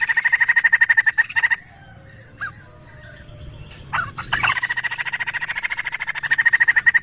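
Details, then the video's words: Poksay, a laughingthrush, giving a lure call to draw replies: a rapid pulsed rattle, a pause with soft scattered notes and a brief rustle, then a long, steady stream of fast harsh pulses. "Sekali putar burung Poksay langsung nyaut"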